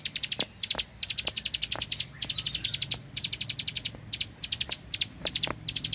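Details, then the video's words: Bar-winged prinia, a rice-field bird, singing energetically in the 'klik klik' style with machine-gun-like bursts: high, sharp clicking notes in rapid rattling series, separated by brief pauses, with faint low background rumble. "Prenjak Klik Klik Burung Sawah Gacor Tembakan Bren Keteran"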